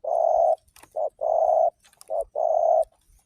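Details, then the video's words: Spotted dove song, a lure recording meant to set other doves calling: a long purring coo, then a short note and another long coo, in quick alternation with no pauses. "Masteran suara burung || tekukur sekalidi puter burung tekukur lain di jamin ikutan bunyi"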